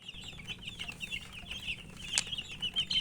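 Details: Baby chickens, chicks thirsty for drinking water, give a dense chorus of high, overlapping peeping chirps, rapid and continuous, with a few sharper louder peeps near the end.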